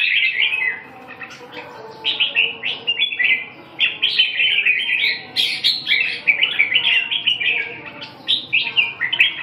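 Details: Red-whiskered bulbul song of quick, liquid chirping phrases that rise and fall. The phrases are packed closely together after a short quiet opening.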